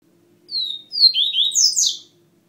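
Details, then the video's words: A white-breasted, yellow-billed Dubois's seedeater (Sporophila ardesiaca) in Feira de Santana, Bahia sings its "vivi ti" song: a quick, high phrase of sweet slurred whistles and buzzy descending notes, over a faint low hum. "Papa capim "G5""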